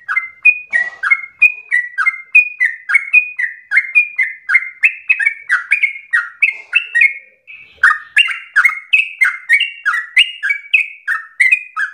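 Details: Extended Yellow-vented bulbul song used as a lure so other bulbuls sing long rolling phrases: fast, bubbling downward-slurred notes, a short break midway, then the chatter resumes even livelier.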